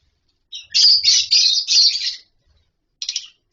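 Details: In a captive colony with nest boxes, lovebirds give a fast string of harsh, high chirps for about one and a half seconds, then a brief final chirp after a pause.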